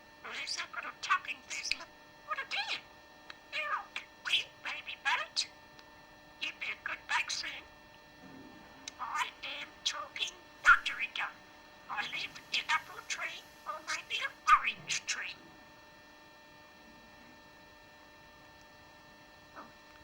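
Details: A budgerigar named Baby Birt chatters in rapid scratchy bursts of mimicked human words, reciting nursery rhymes, prayers and Bible texts, sometimes mixing pieces of several rhymes.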